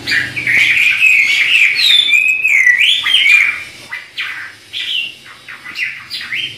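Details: Chinese hwamei in a duet pour out loud, rich whistles that slide up and down, then break into quicker, fainter rising phrases.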